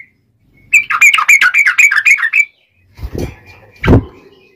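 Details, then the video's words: Sooty-headed bulbul ngobra song used as a tutor and wild-bird lure; a fast chattering trill of bright whistled notes lasting under two seconds, followed by two loud low thuds. "Kicau Trucuk Ngobra Spesial Masteran"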